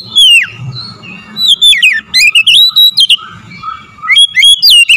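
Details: Lure song of an oriental magpie-robin, meant to stir another bird into heated singing: loud sweet whistles sliding up and down, with scratchy notes and short pauses between phrases over a low background rumble.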